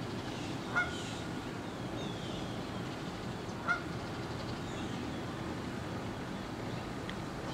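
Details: Six Canada geese flying in formation along the St Johns River from Big Fishweir Creek, Jacksonville, Florida, at sunrise, 7:33am, 13 October 2015: two short nasal honks about three seconds apart over a low rumble of wind or traffic.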